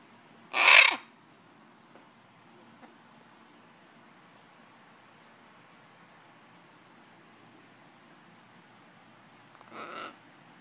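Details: A chestnut macaw, one of three birds kept together, gives one loud, harsh, grating screech, then a much fainter rasping squawk about nine seconds later. Between the calls it is quiet, with only faint background hiss.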